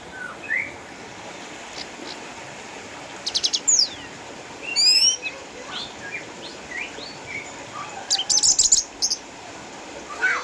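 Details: Orange-headed thrush kept at home in Sukabumi, Indonesia, an eight-year-old former champion with cataracts: spaced soft whistles mixed with fast descending buzzy sweeps and rattling high bursts over a steady background hiss.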